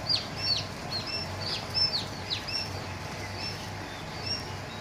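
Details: Newly hatched quail chicks on a farm; rapid high thin peeps, sharply falling and sometimes overlapping, fairly steady through the first half then thinning out, over a soft low background hum.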